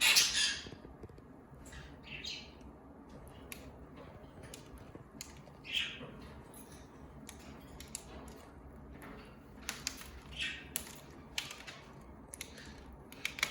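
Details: Pet conure gives a loud, harsh squawk, then scattered shorter raspy squawks and chirps over a quiet room, around feeding time.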